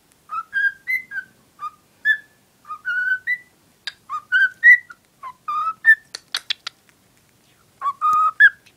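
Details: Pet cockatiel hen, smitten with her cuddly toy, whistles rising two- and three-note phrases, then a cluster of sharp clicky chirps near the end before a last rising whistle.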